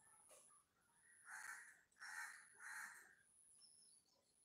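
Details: A fallen bulbul chick giving three harsh, rasping, broadband calls in quick succession, each about half a second long, with a faint high steady whine in the background.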